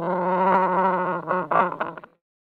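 A chinstrap penguin gives a harsh, braying call: a long, steady, buzzy note followed by several short, rough bursts over about two seconds.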